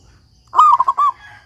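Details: A local zebra dove in full song, kept as a master recording for training doves that have stopped singing, giving one phrase: a rounded cooing note followed by quick staccato coos and a final drawn-out coo, with a quiet low background hum.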